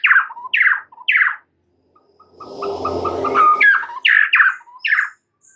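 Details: White-rumped shama in morning song, three bright descending phrases, a pause, a noisy rustling passage with a faint tonal note, then three more matching phrases.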